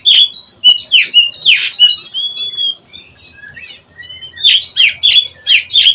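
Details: Oriental magpie-robin youngster learning ngeplong singing: loud downslurred whistles and harsh chattering notes, then a softer stretch of thin drawn-out whistles, before a burst of rapid rasping, clicking phrases returns.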